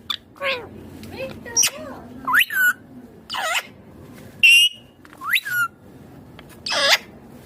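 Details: Green ringneck parrot kept as a pet, said to be talking, utters a string of short swooping whistled and squawky notes, each sharply rising or falling, separated by brief pauses.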